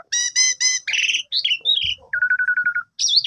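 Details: ['Asian pied starling in a lure song for a sulking bird: three bright harmonic chirps, buzzy warbled notes, a wavering whistle, then a steady low pulsed trill and a final rising whistle.']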